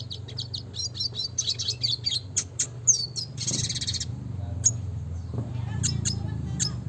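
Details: Classic red siskin song used for training: fast high chirps, a buzzy trilled burst, then sparse sharp notes, with noticeable low rumbling background noise.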